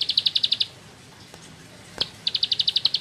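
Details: Rice-field bar-winged prinia in ngebren song style: a burst of quick, high, sharp chirps, then a pause of over a second with a single click, then another rapid chirping run.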